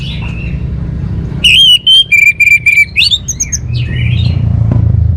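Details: Orange-headed thrush delivering long level whistles broken into pulses, then varied rising and falling slurred notes, clear above a low rumbling background.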